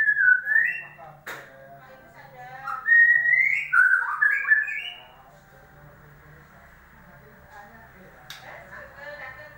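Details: Oriental magpie-robin song used as a lure to prompt a silent bird to start singing: loud whistled phrases sliding and warbling around the middle pitch range, a sharp click near the start, quieter chattering notes afterward, low hum beneath.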